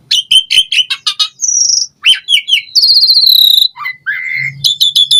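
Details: Asian pied starling in lively, varied song used as a lure and master recording to spur other starlings into singing. Rapid chirps and buzzy notes, then a clear high whistle, a long buzzy trill and short rising whistles, ending in quick repeated chips.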